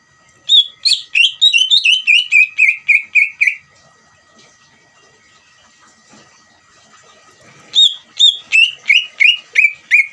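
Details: Lure song of a lively greater green leafbird meant to excite a caged bird into replying: fast cascades of sharp, descending whistled notes, a three-second burst, a pause of about four seconds, then another burst.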